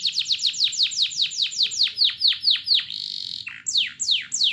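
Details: A canary's lure song meant to get other canaries singing: a long run of steeply descending whistled notes repeated quickly, a brief steady buzzy tone, then more falling sweeps.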